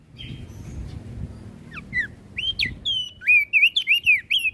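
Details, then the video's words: Flores crested white-eye singing to provoke others: soft, scattered notes build into a fast series of loud, clear whistles. Each one swoops up or down, against a low background rumble. "Opior Jambul flores Gacor Bikin Emosi Burung Yang Dengar Pasti Langsung Ribut"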